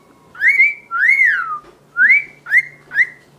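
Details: Whistled song from a one-year-old male cockatiel kept as a pet, performing to a tissue: five bright, arching whistles, the second long and sliding down at its end, delivered in an uneven rhythm indoors.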